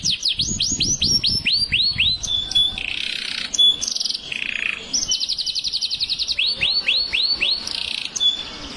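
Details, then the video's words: Canary of the Kenari Rasmi type in full gacor song, pouring out repeated descending whistle sweeps, high buzzy rattles and a sustained trill section, loud and rapid with hardly a pause. "Kenari Rasmi gacor durasi siap gantang"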